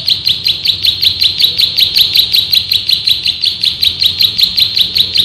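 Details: Rapid, steady machine-gun series of sharp high chirps from a male bar-winged prinia of rice fields, about three notes per second throughout, recorded as master song for training cage birds.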